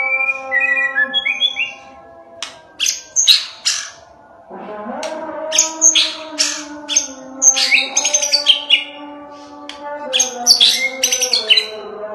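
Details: Angry white-rumped shama delivering a lure song to make rival shamas sing and fight back, with short whistled notes, then repeated bursts of harsh, scratchy high notes and sharp chips, over a steady low drone.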